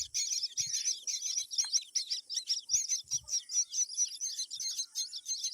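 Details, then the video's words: Chicks of a myna being fed a green worm give an insistent string of piercing, squeaky high notes, several per second, with only faint thuds in the background. "Myna birds🐦 feeding green worm to her babies"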